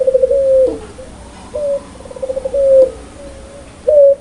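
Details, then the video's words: Spotted dove of the puter pelung type, kept as a singing bird and praised for a loud, clear voice in the lively 'gacor ngakak' laughing style, gives low, hollow coos: short stuttered pulses, then drawn-out level notes, about four phrases in quick succession. "suara burung puter super gacor ngakak"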